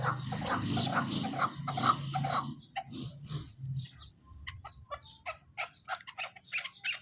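Black francolin giving harsh, grating notes in quick uneven bursts, with heavy rumbling noise over the first two seconds.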